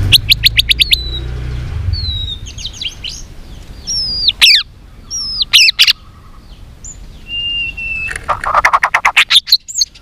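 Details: A white-rumped shama gives a varied fighting song: quick rattling notes, scattered slurred whistles and sharp clicks, then a long whistle and a fast rattling series at the end.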